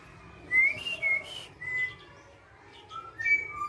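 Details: A tame female black-naped oriole gives a string of liquid whistled notes, some rising and some level, in two bursts separated by a brief quieter pause.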